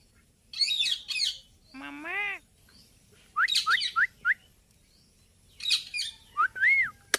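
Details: Indian ringneck parakeet talking and making noise: harsh raspy squawks, a brief voice-like phrase, then short rising whistled notes in quick bursts, ending with a longer arched whistle.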